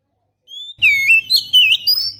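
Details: Lure song of the Oriental magpie-robin for attracting birds: a thin, level whistle, then a loud jumble of warbled, swooping whistles over a steady low hum.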